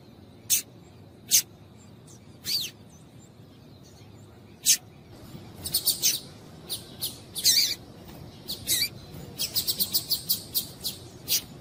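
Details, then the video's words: Female yellow-bellied seedeater calling to warm up and excite males: short, sharp, high chirps, scattered singly at first, then in quick bursts and a rapid run of clipped notes, over a low steady hiss. "fêmea de coleiro baiano chamando Quente Para Esquentar coleiro baiano"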